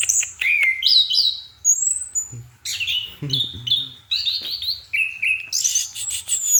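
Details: Orange-headed thrush in night song: varied clear whistles, some rising and some falling, interspersed with short chirps and repeated paired notes, alongside a steady low hum.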